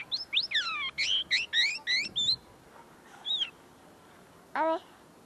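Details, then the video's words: Caged common linnet, tame and singing right in front of the recorder while still perfecting its notes: a fast series of about ten bright, downward-sweeping whistled notes, then a brief twitter and a lower buzzy note. "pardillo cantando delante de mi"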